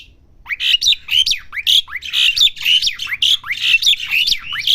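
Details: Young Asian pied starling learning to sing, giving a steady string of harsh, squeaky two-part notes, each a rising whistle followed by a rasp, nearly continuous.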